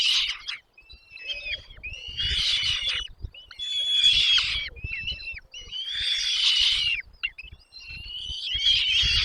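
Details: Nest chicks clamouring as parent birds bring food: loud rasping begging bursts alternate with thin rising whistles, roughly every two seconds, over low rustles.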